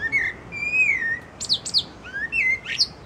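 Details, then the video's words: Thrush singing from a branch: long, smooth whistled notes that rise slightly and then slide down, broken by a few sharp, high, quick notes, against a low steady background hiss. "Singing thrush on a branch"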